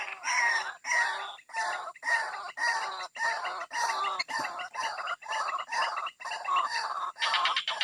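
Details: White-breasted waterhen call, played to lure birds out of bushes: harsh, croaking, broadband notes repeated almost twice a second in an uneven series, with a steady high hiss behind.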